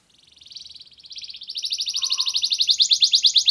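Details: Canary singing clearly, used to prompt silent canaries into singing: rapid trilled notes high-pitched around four to six kilohertz, accelerating and growing louder, with a brief lower warble midway.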